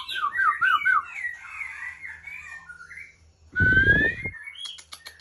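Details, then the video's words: Female Aceh White-rumped shama from Ujong Pancu gives a run of warbling whistles and gliding notes, then a long clear rising whistle over a brief low thump. "Murai Aceh # Betina Supak Ujong Pancu."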